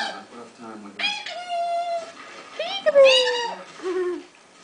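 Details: A female pet Eclectus parrot chatters to herself in a small indoor room, mixing mimicked speech-like phrases with squawky, nasal notes and sliding whistles.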